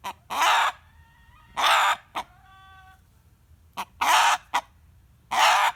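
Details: Hearing a hen cackling sets this rooster screaming, as it usually does. Loud, grating squawks arrive in a broken rhythm with short yelps between them, and a soft tonal cluck follows at about 2.5 seconds.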